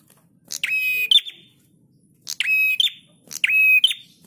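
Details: Prinia singing vigorously, recorded as a master track for training cage birds: three grating buzzy phrases, each finished by a clipped higher note, separated by short silences, plus a few faint soft chirps.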